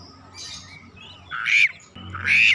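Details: Oriental magpie-robin (kacer) answering fiercely and unloading its learned repertoire: two loud, harsh rasping bursts about half a second apart, after a softer buzzy note, over a low steady hum.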